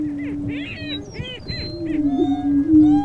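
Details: Lesser prairie chicken roosters displaying for a hen in the Flint Hills of Kansas: a low booming drone under bursts of quick cackling notes, then a wavering, swelling moan near the end.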